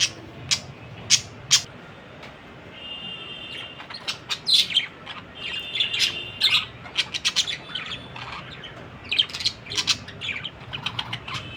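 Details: Budgerigar calls: sharp isolated clicks open the clip, then busy warbling chatter with short, thin, whistled tones and scratchy notes, rising and falling in irregular bursts.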